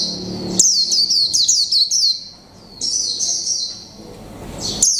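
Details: Caged Japanese white-eye, mộc tinh type, one month caged, singing "líu pha chòe trống": a rapid series of high, sharp down-slurred notes, a sustained thin warble, a quiet gap, then a final bright note.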